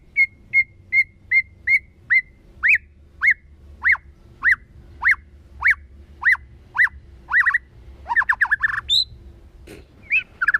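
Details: White-rumped shama forest-voice song: spaced whistled notes that turn into sharp downward slurs about once a second, ending in a fast jumble of rising and falling whistles over a low background hum.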